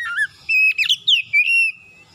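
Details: Oriental magpie-robin (kacer) morning song used as a lure to draw reluctant caged birds into full, insistent singing: clear high whistled notes, some long and level, others slurred and falling, in four short bursts with faint low rumble beneath.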